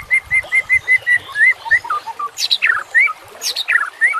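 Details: Murai batu, the white-rumped shama, in a training recording gives a row of about seven evenly spaced whistled notes, then falling slurs and harsher chirps mixed with brief rustling noises.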